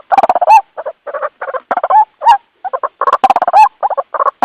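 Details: White-breasted waterhen calling its companions: loud, rapid series of guttural croaking notes in tight bursts, several ending in a stretched, rising squawk, with short silent breaks between phrases.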